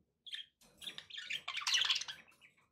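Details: Pet budgerigars giving a loud, dense warbling chatter of buzzy, squeaky notes that swells in the middle and fades at the end.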